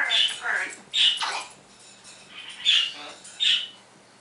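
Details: Happy pet parrot in the morning mimicking electronic sound effects, canary song and spoken words, here giving four loud, sharp whistled squawks, with quieter raspy murmurs between them.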